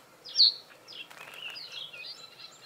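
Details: A male Common reed bunting (Emberiza schoeniclus) singing during breeding season on a reed stem above water, defending territory: a single sharp, high chirp then a few fainter, thin notes, over soft outdoor hiss.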